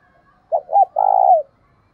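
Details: Spotted dove decoy, thổ đồng voice style, used to draw in wild doves: a single clear phrase of two quick hollow coos followed by one longer, steady coo that drops away at the end.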